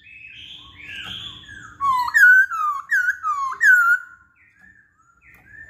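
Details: Masked laughingthrush song played as a lure to make other birds sing: soft sliding whistles, then five loud looping whistled phrases in quick succession, followed by quieter notes.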